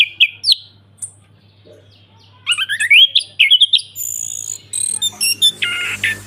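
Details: Orange-headed thrush ngeplong song: scattered sharp chirps, then a rising sequence of bright whistled notes followed by high thin squeaks and buzzy notes, with a steady faint hum.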